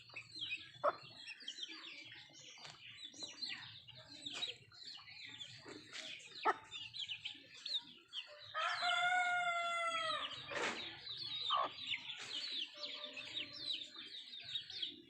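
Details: Country chickens (nattu kozhi) at feeding time: steady high peeping throughout, sharp pecking clicks, and midway a loud, harmonic rooster crow lasting about two seconds before the peeping resumes.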